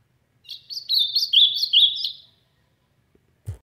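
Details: An Ultramarine Grosbeak in the Brazilian sertão sings strongly: one rich, warbled phrase of high whistled notes lasting nearly two seconds, stepping down slightly, followed by a soft low thump.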